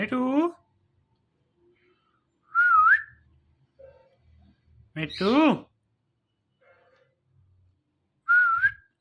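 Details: Indian ringneck parrot talking, several separate utterances: nasal harmonic speech-like phrases and a couple of wavering whistled notes, with quiet gaps between them.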